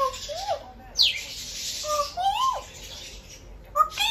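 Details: African grey parrot giving a mix of sliding whistles, rising and falling sweeps and short chirps in quick bursts, with loud noisy squawk-like blasts near the start and end, indoors.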